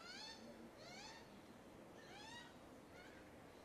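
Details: Magpie chick crying for food with a few drawn-out, upslurred whining calls spaced about a second apart, softer and sparser than a full begging bout, over faint background hiss.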